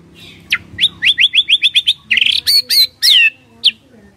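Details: A white-rumped shama sings, used as a lure to get quiet birds to respond: about eight bright, rising whistled notes, then rich varied phrases with sharp high flourishes, over a faint low hum.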